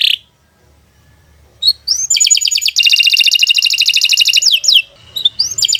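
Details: Domestic canary singing a long, loud song used to prompt other canaries to sing: high buzzy rapid trills pulsing steadily, broken by short upward whistles and brief pauses.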